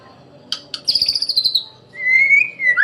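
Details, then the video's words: White-rumped shama (murai batu) song as master recording: two sharp clicks, a fast high trill, then a long clear whistle gently rising and ending with a drop. "KUMPULAN BEBERAPA SUARA OCEHAN BURUNG MURAI BATU GACOR UNTUK MASTERAN MURAI"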